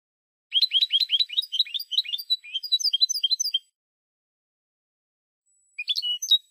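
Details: European goldfinch singing in the Spanish style on a recording for wild-bird song enthusiasts: quick twittering trills and chattering notes for about three seconds, a pause, then a short burst of sharp notes.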